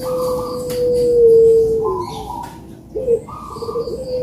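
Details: Dove cooing played to encourage lazy doves to call: long, level, hollow coo notes with a brief rolling burst near the end, over a soft noisy background.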